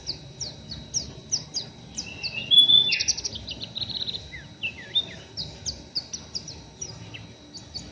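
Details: Rough ngeriwik chattering by an untrained oriental white-eye: a run of high, evenly spaced chips, a brief louder buzzy flourish with a thin whistle near three seconds, then more quick sharp chirps.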